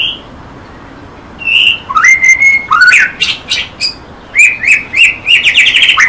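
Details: White-rumped shama song: after a quiet start come rising whistled slurs, a held clear note, then quick repeated phrases, three or four per second, ending in a rich jumble of whistles and trills.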